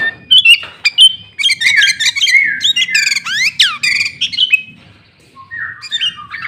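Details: Loud, clear sooty-headed bulbul song filled with green leafbird phrases, used as a lure to provoke rivals: fast jumbled whistles, steep up-and-down sweeps and harsh buzzy bursts, fading to quieter notes.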